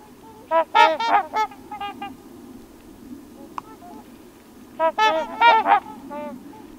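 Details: About three to four dozen trumpeter swans on a pond at Crex Meadows, western Wisconsin, in mid-October after rain, give bursts of deep, nasal, horn-like honks in two loud bouts, with quieter flock honking between.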